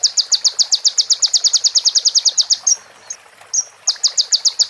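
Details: Sunbird (konin) training song with prinia and ciblek fill-ins: a long series of very high, separate, clipped notes at about six per second, a pause with two thin chips, then the series resumes.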